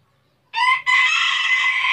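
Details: A rooster, caught on record by chance in Tabulahan, Mamasa regency, starts a crow with a short harsh syllable, a brief break, then a long loud raspy held note running to the end.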